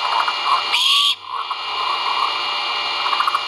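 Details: Great horned owl chicks calling at the nest during feeding, recorded by a live nest camera at Skidaway Audubon on 1.04.2022: one harsh, raspy hiss-like screech lasting about a third of a second over steady electrical hum and faint background noise.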